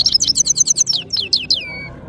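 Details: European goldfinch, locally called saira, from Parachinar, in powerful song: a rapid run of high twittering notes, then several descending slurred whistles, the last one drawn out and fading.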